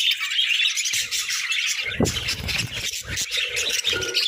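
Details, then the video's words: A group of budgerigars chirps and squawks in a dense high babble, with a sharp rising note and some low rustling knocks midway. "Joyful Parakeets🐦🦜: Daily Chirping, Songs, and Fun!"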